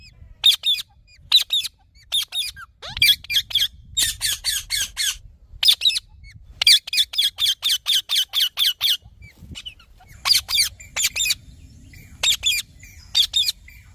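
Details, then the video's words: Green parrot giving long runs of harsh, raspy squawks, often in quick doubles or rapid series of five or six, with short pauses between bursts and a quiet background. "Green Parrot Natural Sounds"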